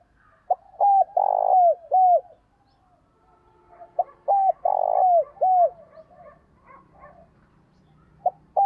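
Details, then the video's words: Caged decoy spotted dove cooing to lure wild doves: two full phrases, each a short note, a rapid rolled trill, then two falling, slurred coos, about four seconds apart. A third phrase begins at the end, and faint chirps from other birds sound between phrases. "chim cu mồi gáy chuẩn kích bổi, rất nhiều con bổi đã nổi nhờ nghe tiếng này"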